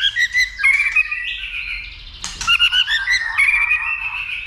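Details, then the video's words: Stimulated white-rumped shama, its tail flicking, singing hard as it is trained for fighting; rapid run of whistled notes, a harsh burst midway, then rich warbling phrases. "Kích Chòe lửa Lên Lửa, hót nhiều,chòe lửa đánh đuôi kích đấu .luyện chòe lửa hót nhiều giọng"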